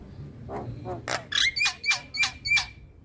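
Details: Male Javan myna producing a quickening series of rough, grating notes, the later ones each carrying a steady whistled tone, about three per second, over faint low noise.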